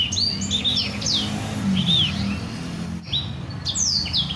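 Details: Black-throated canary (blacksang) singing for canaries to learn: sparse, clear whistled notes, some slurred down and some rising, with short pauses between phrases and a steady low hum in the background.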